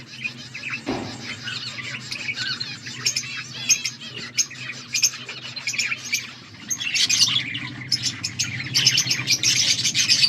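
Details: A flock of budgerigars chirping and squawking, soft warbling at first, then louder, denser chatter building toward the end, with a low room hum.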